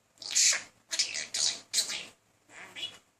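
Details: Pet male talking budgerigar persistently courting a female indoors: bursts of scratchy, buzzy high-pitched chatter in four to five clumps separated by brief pauses.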